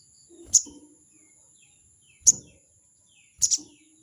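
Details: Crested jay calling out a rival with 'crecet' notes: three sharp, scratchy bursts at uneven gaps, the last one doubled, over a constant thin high-pitched whine.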